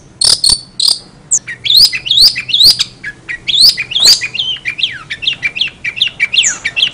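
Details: Long-tailed shrike singing odd, varied sounds: high squeaky notes, then a string of quick rising whistles and downward-swooping squeals, repeated irregularly about twice per second in a busy, chattering phrase.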